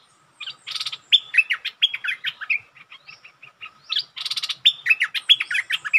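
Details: Bulbul lure song used to test a resident territorial bird: a bright, bubbly phrase of quick whistled and chattering notes, repeated twice with short pauses between.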